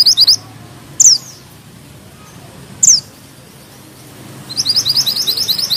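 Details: Singing mountain bushchat delivering sharp shot notes and tight rolls: a short high trill, two isolated piercing downslurred notes a couple of seconds apart, then a rapid rolling string of high chips.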